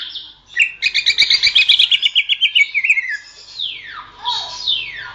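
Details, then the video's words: Greater green leafbird song for training songbirds: a fast series of about twenty rhythmic buzzy chirps that drop slightly in pitch, followed by long sweeping downward and upward slurred whistles. "masteran suara burung cucak ijo"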